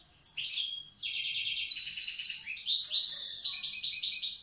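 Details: Wild European goldfinch, Tiaret old-style singing: an almost unbroken, loud run of rapid, liquid twittering with buzzy, rattling phrases and high ringing notes.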